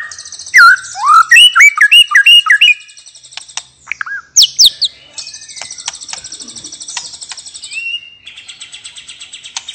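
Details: White-rumped shama, a relaxed open-voiced song used to prompt other birds to sing: rapid looping whistles, a hooked phrase repeated four times, then sharp chips and long thin buzzy trills.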